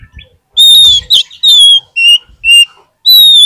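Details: Oriental magpie-robin song intended to prompt lazy birds to respond: six loud, pure whistled notes about half a second apart, several falling slightly in pitch, with faint low rustling underneath.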